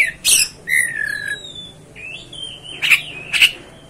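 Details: Oriental magpie-robin delivering a mix of harsh scratchy bursts and long thin whistles that slide downward, a couple of sharp notes closing the phrase.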